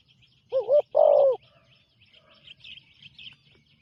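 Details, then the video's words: Spotted dove, a newly trained bird on its first outing, gives two loud deep coos in quick succession, the second longer and fuller, followed by faint high chirping from other birds. "นกเขาใหญ่ต่อดิน ฝึกนกใหม่ออกฝึกครั้งแรกพอได้ยินเสียง"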